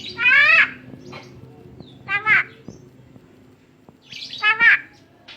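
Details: Tame Javan myna giving loud harsh nasal squawks with stacked harmonics, three bursts over about five seconds, with faint background voices and clicks.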